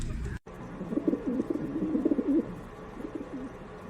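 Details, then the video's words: A pigeon gives one long, low, throaty coo that rolls and wavers for over a second, followed by a shorter softer coo, after a brief burst of noise at the start. "som dos pombos / sound of pigeons / canto do pombo /barulho de pombo / pigeon noise"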